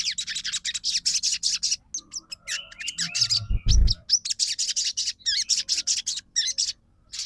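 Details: Crimson sunbird song for provoking other birds to sing: continuous high, dense twittering trills, some rising slurred notes in the middle, and a deep thud.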